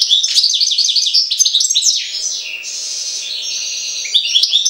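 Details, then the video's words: European goldfinch, associated with Jagodina, sings a fast, continuous run of bright, tinkling, twittering notes, then slides into drawn-out buzzy, nasal trills. "Stiglic-Jagodina 5"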